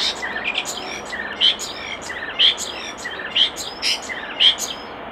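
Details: Common starling at a nest box repeating a phrase about once a second: a bright clicking note with whistled slurs and stuttering rattles woven between.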